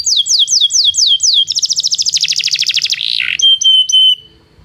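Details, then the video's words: Belgian canary song for training canaries that do not sing: four looping downslurred whistles, a fast buzzy trill, a harsh rasping note, then sustained level pure whistles fading out. "Canto de canário belga - treinamento para canários não cantores"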